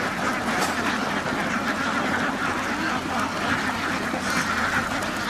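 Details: Ducks kept on a farm calling together, a thick wall of overlapping quacks, hoarse and nasal, unbroken throughout.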